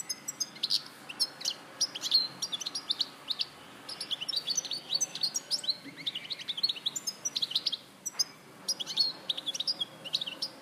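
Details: Goldfinch song recorded at Larache in 2014: a long, continuous flow of quick chirps, tinkling twitters and short buzzy notes, varied and rhythmic throughout.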